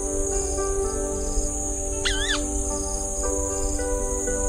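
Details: A White-browed crake (Porzana cinerea) gives one short, nasal, buzzy double note that rises and falls, over a steady background hum.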